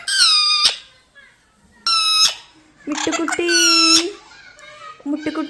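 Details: Pet parrot talking in short, high-pitched squeaky phrases, three bright harmonic bursts spaced by pauses, with a lower voice speaking indoors between them.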